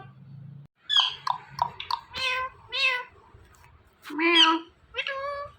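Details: Indian ringneck parakeet talking: a quick run of sharp, chattering syllables, then drawn-out nasal meow-like words, one lower and fuller, over a faint low hum.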